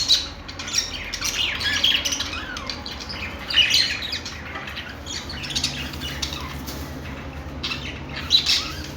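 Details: Budgerigar chirping: scattered harsh squawks and short chirps with sharp peaks at irregular intervals, mixed with softer chatter over a steady low hum.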